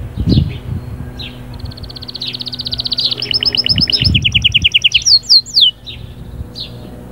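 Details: Canary song meant to get the female ready for breeding: quick high trills of rapid pulses shifting between pitches, then a few loud descending whistled notes, with low background thumps early on.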